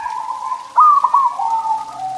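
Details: Zebra dove song for stimulating pet doves: a soft drawn-out coo, then a sudden louder warbling trill, trailing into an even, held coo that wavers slightly at the end.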